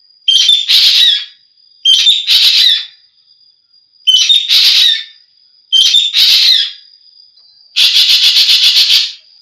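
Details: Green magpie (ekek geling) in a training recording for songbird hobbyists: five loud grating bursts about every two seconds, each starting with a squeaky note; the last is a rapid pulsing rattle.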